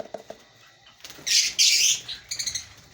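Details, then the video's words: Breeding colony of African lovebirds: a few soft ticks, then a loud dense burst of shrill, scratchy chattering lasting under a second, followed by quieter rapid chirps. "Lovebird Singing & Chirping Sounds"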